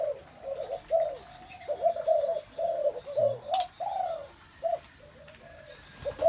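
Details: A crowd of spotted doves gives overlapping low, rounded cooing notes in clustered bursts with brief gaps, one sharp click midway, and a steady faint high electronic tone behind.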